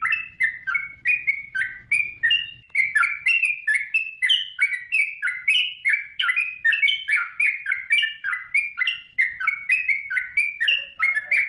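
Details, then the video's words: Yellow-vented bulbul in full gacor song for training caged birds: long, dense stream of rapid warbled whistles rising and falling, with a soft low rumble early on. "Suara Burung Trucukan | Gacor"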